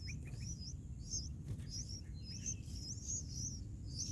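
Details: Bulbul nestlings in their nest on the fourth day, being fed: high thin chirps, short and slightly slurred, given in quick irregular bursts, over a steady low rumbling background.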